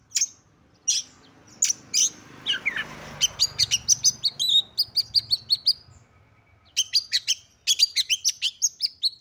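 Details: Female white-rumped shama used as a provoking call for males: sharp scattered clicks over a brief rushing noise, then rapid trains of short high ticking chirps.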